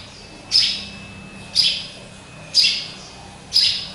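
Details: Caged pet sparrow, described as a hybrid and hung high in its own cage, where it calls a lot; gives sharp, high single chirps, four in a row, evenly spaced about once a second, over low background hum.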